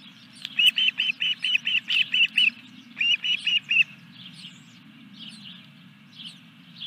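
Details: Osprey calling at the Dunrovin Ranch nest on 14 July 2021 while the third fish is delivered: a fast series of about nine bright whistled chirps, a brief gap, then four more, fading to faint chirps. Low hum throughout.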